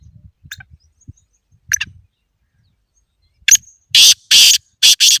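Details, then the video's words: Black francolin call played for training captive birds to call. Soft low rustling and two thin high notes come first, then a loud run of four grating, harsh bursts near the end. "Kaunse Teetar ki Awaaz Saaf Hai?"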